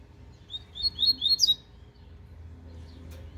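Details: Double-collared seedeater of the cicopata serena song style, a brief quick phrase of sharp, sweet whistled notes sliding downward, about five syllables, then a low background hum.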